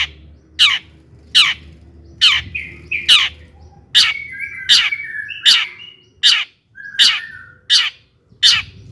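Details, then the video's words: Lively long-tailed shrike song, used to excite other shrikes into singing: sharp, high clipped notes spaced under a second apart, with short whistled and buzzy fragments threaded between them. "kicau cendet gacor JITU di cari BUAT PANCINGAN CENDET AGAR EMOSI DAN GACOR"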